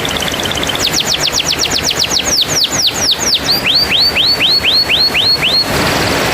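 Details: Canary singing, played to coax a canary that has stopped singing: rapid downward-sweeping notes first, then slower hooked, arching whistles in an even series, ending in a burst of noisy rustle.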